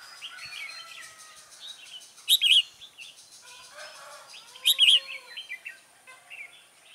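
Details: Trapping of red-whiskered bulbuls, 24 September 2017, with a decoy luring wild birds: two loud bright twittering phrases about two seconds apart over softer overlapping warbles and chirps from other bulbuls.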